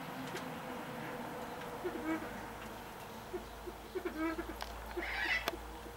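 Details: A Temminck's tragopan, offered a salad to see if it takes interest, gives two short, low, nasal bleating notes a couple of seconds apart, over a steady background hum with a few knocks and clicks.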